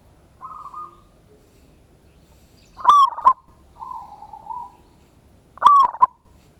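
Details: Singing local Indonesian zebra dove, ngayer kerot nutut lure song recorded 16/11/25: repeated phrases of a low rolling trill followed by emphatic double coos, about every three seconds.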